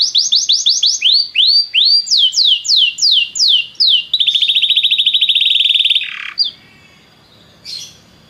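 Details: Song of a Belgian canary meant to warm up other canaries: rapid falling whistled notes in shifting series, a sustained fast rattling trill, then a harsh drop and quieter closing notes.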